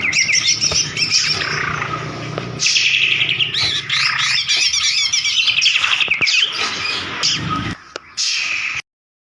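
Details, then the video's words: White-rumped shama song, used to provoke a silent bird into singing: loud, rapid, continuous chattering and whistled phrases, dense and varied, with buzzy trills and sharp notes. A steady low hum runs underneath, and the sound cuts off abruptly. "Suara Pancingan Burung Murai Macet DIJAMIN NGOTOT"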